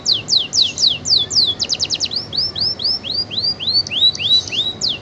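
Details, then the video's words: Canary singing energetically, offered as a tutor song for white-eyes: loud, fast series of high downward-sweeping whistled notes, several per second, briefly switching to a quicker rattling run, then longer upslurred notes; quiet background. "Burung Kenari gacor"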